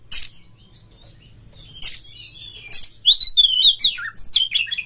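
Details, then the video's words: Caged Oriental magpie-robin (kacer) song used as a lure to set other kacer singing while in mating mood: three sharp clicks spaced apart, then a fast, twisting, high twittering warble that runs to the end. "SUARA PANCINGAN BURUNG KACER"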